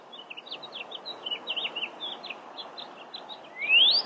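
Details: Pyrrhuloxia, or desert cardinal, filmed at a webcam: a quick run of soft, thin chirps repeated throughout, ending in one loud, clear note sweeping sharply upward.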